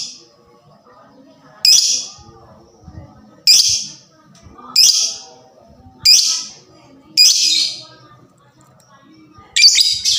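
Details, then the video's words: Lovebird of the fighter type, its fast voice meant to stimulate all kinds of lovebirds to sing: loud, shrill screeching notes repeated about every 1.5 seconds over faint background voices and clatter. "LOVEBIRD FIGHTER SUARANYA CEPAT BIKIN EMOSI DAN JITU MERANGSANG BUNYI SEMUA JENIS LOVEBIRD"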